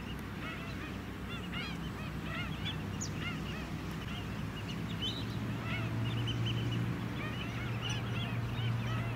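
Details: White-headed stilts in a flock on the Scarborough mudflats, Queensland, in July, uttering quick, repeated, arched yapping calls from many birds, over a persistent low engine drone.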